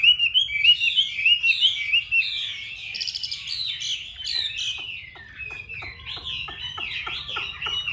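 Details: Chinese hwamei, a home-kept songbird in Hanoi, Vietnam, sings quick looping whistles at first, then sharper, scattered clipped notes and trills, with steady varied phrasing throughout.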